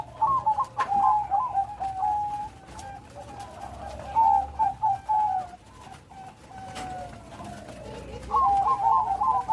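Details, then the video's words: Bangkok-type zebra dove in steady song with complete rhythm; quick trilled coo bursts open the clip, followed by softer pulsing notes, a long sliding coo, and another bubbly phrase at the end. "Burung perkutut bangkok gacor.Suara besar. Irama lengkap."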